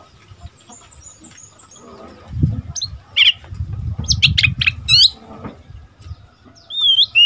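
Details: Oriental magpie-robin decoy bird, aged seven months in its first moult, trading phrases with wild birds: scattered sharp chips and clipped notes between low thumping handling noise, ending in a bright looping whistle.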